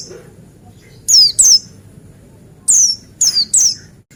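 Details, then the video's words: Male Buxtoni white-eye lure song for prompting white-eyes to sing: five shrill downward-sweeping whistles, a quick pair first, then three more after a pause. "Pleci Apa Saja Jamin Nyaut dan Gacor Dengar Suara Pleci Buxtoni ini"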